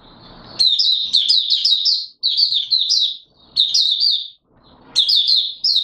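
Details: Oriental white-eye singing on 24 March 2022: loud, high-pitched twittered phrases of rapid rising and falling chirps, repeated in bursts about every second, with quiet rustles between.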